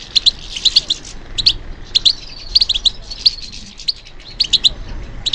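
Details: Goldfinch singing in response to stimulation: bursts of thin, bright twittering and tinkling chirps, with a short sliding whistle in the middle. The bursts return irregularly, about 34 a minute, over low background hiss.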